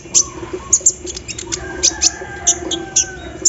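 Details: Kolibri ninja sunbird in full song in the morning dew, embroidery-machine style filler: piercing high chips spaced about half a second apart, with faint thin whistles and a constant low background hum.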